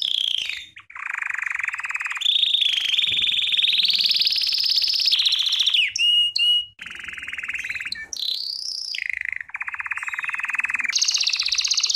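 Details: Belgian canary song for training: long rolling trills held near one pitch, broken by bright rising and falling whistled slides, then more buzzy rolls and a high trill at the end.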